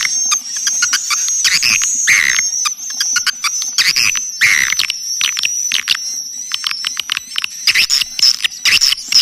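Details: Swiftlets' lure call: a continuous high, thin whistle over busy, irregular twittering and clicking chirps, with a few louder bursts of chatter.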